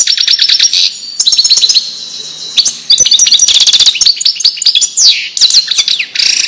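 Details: Widani-style European goldfinch song for training fledglings: long sequences of rapid, bright twittering and trilled notes with short breaks, closing on scratchy buzzy slurs.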